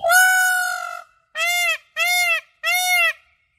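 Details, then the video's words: White peacock, an Indian peafowl, calling while dancing in courtship display: loud, ringing, nasal honks, one long drawn-out call followed by three shorter, evenly spaced ones in quick succession, with no other sounds. "White peacock calling and dancing courtship display"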